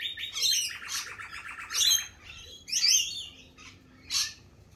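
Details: Lorikeets in spring give a rapid, buzzy, stuttering series of notes, then sharp shrill shrieks that come in separate bursts about a second apart.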